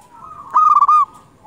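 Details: Single loud trilled coo phrase of rapid stuttering notes from a local Zebra dove used to lure wild doves, rising out of faint background cooing.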